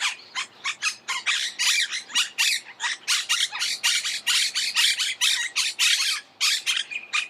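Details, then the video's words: Rapid, nearly continuous chatter of a Monk parakeet: roughly twenty-five grating, scratchy squawks in quick succession, with only a couple of short pauses. "Canto de la Cotorra - Sonido de Cotorras - Audio De La Cotorra Argentina"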